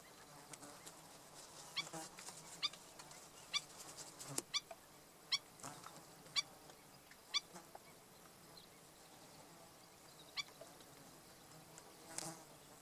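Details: Black-necked stilt, with a chick at Bombay Hook National Wildlife Refuge, gives sharp, high yipping notes, roughly one a second at an uneven pace, over a faint breezy hiss.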